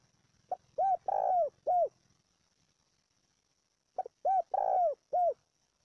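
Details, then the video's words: Spotted dove lure call for training a decoy bird: two soft, hollow cooing phrases of four notes, the third longest, separated by a pause, over a faint steady hum. "tiếng chim cu gáy gọi kích mồi tập bổi"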